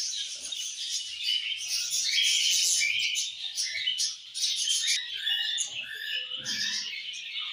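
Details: Budgerigars singing in the evening, a busy stream of bright whistled chirps and buzzy warbles, many birds overlapping, with a brief dip in loudness partway.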